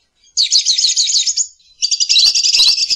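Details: High, harsh, rapidly trilled chirping from a lovebird in two long bursts, the second joined by faint clicking.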